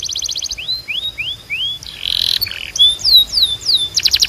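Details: Canary song for training: a rapid rattle, four rising whistled slurs, a buzzy burst, then descending swooping whistles and a closing fast trill.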